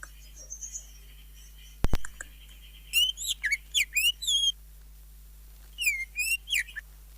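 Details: Greater green leafbird singing with isian and jamtrok. Two sharp clicks, then a burst of high, steeply bending whistled phrases, a silent gap, and a shorter second burst.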